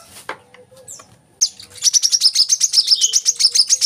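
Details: Brown-throated sunbird lure song for captive birds: a few scattered faint notes, then a sudden rapid, rolling series of high chirps that continues to the end.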